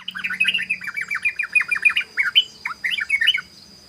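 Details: {'caption': 'Sooty-headed bulbul singing in the fast ropel style, a dense run of rapid, bubbly chattering notes rising and falling without pause, with a faint steady high whine behind.'}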